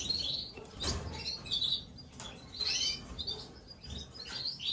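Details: Gloster canary chicks begging while being fed by a parent: thin, high chirps in short overlapping bursts, with brief pauses and a soft low rumble beneath.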